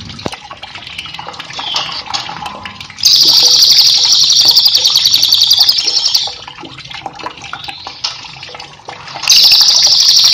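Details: Cililin used as a training master for cage birds, giving loud rapid buzzing trills about three seconds long separated by quieter chirps and ticks, a new trill starting near the end, with running water throughout.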